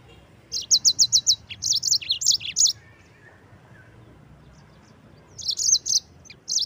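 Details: Yellow-fronted canary singing its rolling gacor ngerol song for training white-eyes; an even string of about six sharp high chirps runs into warbled notes, followed by a long pause and renewed twittering.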